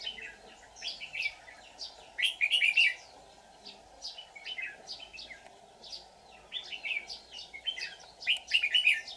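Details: Trap-decoy red-whiskered bulbul, white-cheeked form, singing in challenge to draw in wild bulbuls on 24 July 2019: several loud, dense bubbling phrases at irregular intervals, with lighter chirps and whistles between them.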